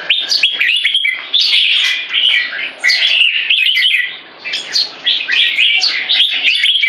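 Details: Young caged red-whiskered bulbul with early spotting, in a C-shaped aggressive stance, sings bursts of sharp, sweet whistled chirps separated by short gaps. There is a quieter stretch around four seconds.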